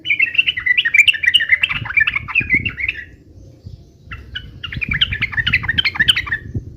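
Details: Yellow-vented bulbul giving an energetic 'uplik uplik' fighting song meant to make other birds answer: two bursts of rapid, chattering, bubbly notes around the middle pitch, with a brief pause between them and soft low thumps beneath.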